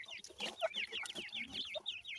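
Francolin chicks peep continuously: high, thin, slurred cheeps, several overlapping, about five each second, with faint low background murmur.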